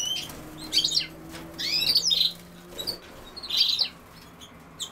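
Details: European goldfinch giving bright, twittering high-pitched call bursts in three groups over a few seconds, with a faint low steady hum underneath.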